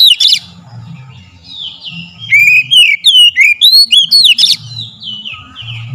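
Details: Oriental magpie-robin singing, a lure meant to stir other birds into song: a rapid run of sharp whistled notes, rising and falling slurs packed close together in the middle, with softer trailing whistles and a low background hum.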